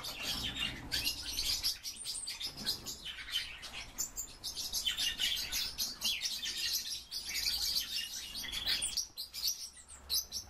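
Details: Tree pipit (Anthus trivialis), a captive bird, singing a lively run of high, twittering and trilled phrases, bright and canary-like, with a faint low hum beneath.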